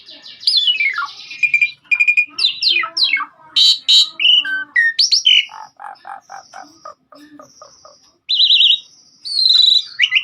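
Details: Asian pied starling pouring out a long varied song on a track for training cage birds: slurred whistles, harsh chatter, a run of short repeated notes and thin sustained whistles.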